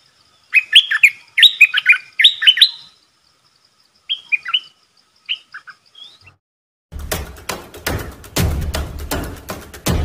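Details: Decoy red-whiskered bulbul calling to lure a territorial wild bird: bouncy, slurred chirps in short phrases of two or three notes, a pause, softer scattered notes, then loud rumbling wind or handling noise takes over.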